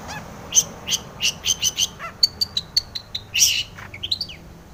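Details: Long-tailed shrike song played to stir other shrikes into song: a rapid series of bright, evenly spaced chirps and short whistled notes, ending in a burst of harsher rising calls.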